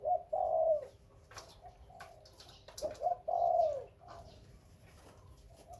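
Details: Spotted dove, Khmer and Malay breeding stock, calling twice: each phrase is a brief lead note followed by a long, smooth, slightly falling coo, with quiet gaps and light rustling between.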